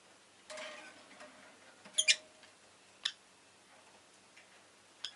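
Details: Rosy-faced lovebird giving a few short, sharp chirps, a close pair near the middle and one later, over a low hiss of background city noise.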